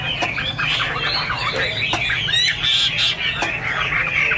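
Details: Chinese hwamei singing Iron Ax Blade Cut Wood, said to be angry and dancing: a busy stream of looping, warbled notes with harsher squawky parts and a few high pure whistles near the end.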